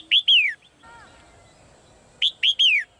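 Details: A female bird kept in a cage calls with two clear, falling whistles, then a softer, lower sliding tone, then a quick run of three loud downslurred notes.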